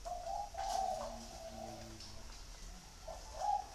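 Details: Spotted dove 'gù thổ' coo from Vietnam. Soft, low cooing notes start the clip, a quiet stretch follows, and a brief final coo closes it, with light background noise.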